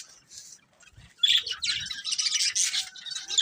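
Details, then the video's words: Budgerigars of a breeding pair: a soft opening chirp, a short pause, then a continuous run of dense, high, scratchy chatter. "Colourful Budgies Chirping Sounds | Love Birds Breeding Pair"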